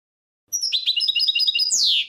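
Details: Brief burst of goldfinch song, from a recording made for goldfinches: quick, bright twittering notes that finish in a harsh, falling buzz.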